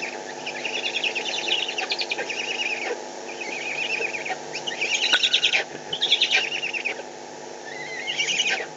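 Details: Eurasian eagle-owls in the Eifel, Germany, on 21 May 2020, fighting over prey: harsh, squealing chattering notes in fast series, some rising and falling, in several outbursts across nine seconds over a steady low hum.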